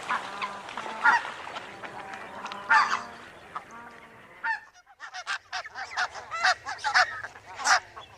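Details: Barnacle geese calling: short, sharp yapping barks from several birds, sparse in the first half with louder calls near one and three seconds, then a brief lull before a denser burst of overlapping honks.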